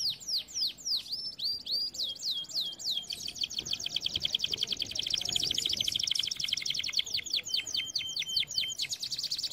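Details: Canary singing a long training phrase: opening with looping high whistles, building into a dense, very rapid buzzy trill, then breaking into distinct descending notes and a final bright rattle.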